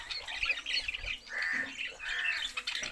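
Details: Budgerigar chatter with soft warbling notes and two longer, steady scratchy calls, a few quick chirps between them.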